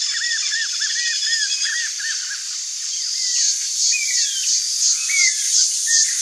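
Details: A free wild Chaco puffbird (Nystalus striatipectus) in Brazil gives a quick run of short, arched whistled notes, then slower slurred whistles, with a strong high insect buzz throughout.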